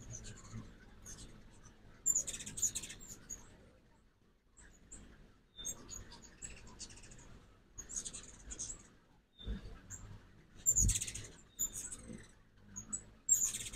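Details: Morning fall migration, 2024, at a feeder in Oxford, Mississippi: ruby-throated hummingbirds make clustered bursts of shrill, squeaky chatter every few seconds. The bursts are separated by quieter gaps with a soft low hum.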